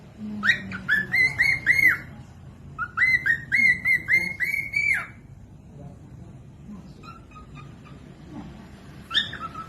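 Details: {'caption': 'Cockatiel song meant for teaching other birds to sing: two bursts of rapid repeated whistled notes, bright and slightly rising, then quieter scattered whistles over a steady low background hum.'}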